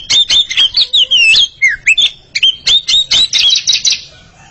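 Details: Pair of Oriental magpie-robins singing against each other: a rapid run of loud whistled notes, some sliding and warbled, others sharp chips, with a low dip near the middle.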